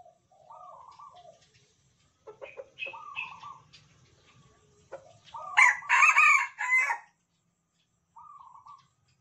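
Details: Caged red junglefowl of Sumatran stock, tame, answering other males in the same cage. Quiet short calls come first, then one loud, raspy, multi-part crow lasting about a second and a half, and a soft note afterward.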